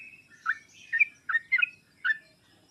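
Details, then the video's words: Sooty-headed bulbul song used as a lure and training recording to draw a lazy, reluctant bird into singing: five short, bubbly two-note phrases about half a second apart over a faint low hum. "pancingan dan masteran trucuk paling cepat di sambar trucuk malas/susah bunyi langsung nyaut"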